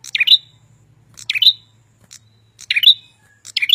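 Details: Red-headed prenjak in lively song, giving four bright, sharp chirps at roughly one-second intervals, each dropping quickly then flicking up, with quiet low hum beneath.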